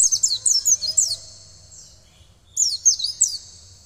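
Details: Oriental white-eye (pleci) kept for song training; bursts of high, quick slurred whistles, a brief pause of about a second and a half, then another short burst of sweeping notes.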